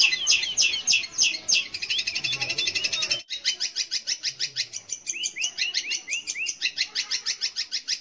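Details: Long-tailed shrike song, used to encourage young or non-singing shrikes: rapid rhythmic chattering notes about three per second, ending with a series of upward-curving whistled notes.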